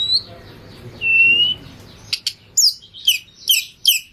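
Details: Oriental magpie-robin in full, lively song packed with fills: two drawn-out high whistles, then a brisk series of sharp, downslurred chipping notes repeated about twice per second against a quiet background.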